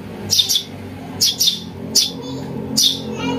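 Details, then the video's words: Piercing double chirps from a house sparrow chick, a call used to lure birds, spaced by short pauses over a steady low background rumble. "Suara anak burung greja untuk mikat"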